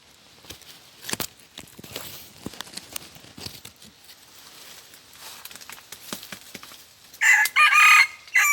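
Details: Red junglefowl decoy crowing, crowing twice only: after several seconds of scattered clicks and rustling, one loud crow near the end in three bursts, short, long and sustained, then short, with a bright, harsh tone.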